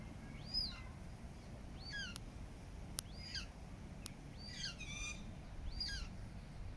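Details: Eurasian coot family with chicks in Regent's Park, London, July 2024: thin, high arching squeaks repeated roughly every second, some doubled or stacked, over low steady background rumble and a few sharp clicks.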